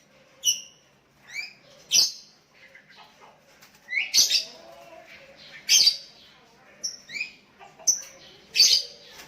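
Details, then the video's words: Sooty-headed bulbul calling to a decoy rival while other bulbuls answer: short slurred whistled notes, some rising and some falling, come in pairs. Sharp broadband clicks or snaps sound between them every one to two seconds. "Burung Kutilang Memanggil Lawan pancingan,,dan Kutilang Lain Ikut nyahut"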